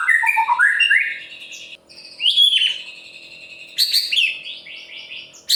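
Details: White-rumped shama of the murai pastol type, singing to provoke other birds into song: rich whistled phrases with rising slurs and buzzy high notes in separate bursts, over a low steady hum.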